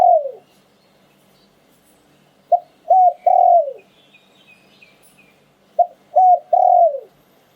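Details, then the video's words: Spotted dove singing 'liu tan' style coos: the tail of one phrase, then two full three-part phrases about three seconds apart, each ending in a long downward-sliding coo, faint twittering in the background. "หลิ่วตัน คารม นกมงคล เสียงนกเขาใหญ่"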